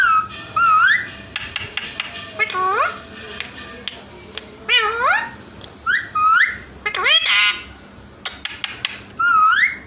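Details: Hand-tame male Indian ringneck (rose-ringed) parakeet talking, chattering in short, nasal, speech-like bursts with rising whistled inflections, about ten phrases in quick succession, in a small room.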